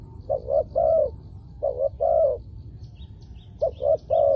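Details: Spotted dove used for luring wild doves to the ground, giving paired short coos then a longer mellow coo in three phrases. Faint high twittering from other small birds toward the end.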